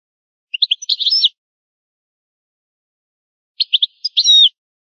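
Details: European goldfinch in an old-style song, two short bursts of clipped chirps and twittering phrases ending in a slurred buzzy note, separated by a few seconds of quiet.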